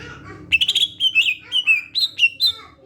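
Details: Greater green leafbird song used as a lure to draw other leafbirds into calling; loud, clear whistled phrases, quick chattering notes then a string of bright sliding whistles, some rising and some falling, in a lively varied sequence.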